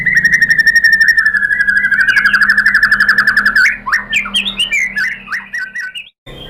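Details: White-rumped shama lure song used to stir other shamas to sing back: a long, steady, very rapid trill of repeated notes lasting several seconds, breaking into varied sharp whistled phrases before stopping.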